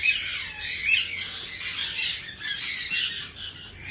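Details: Flock of Australian parrots fed corn cobs in winter, giving a steady wall of rasping, overlapping squawks and chattering calls.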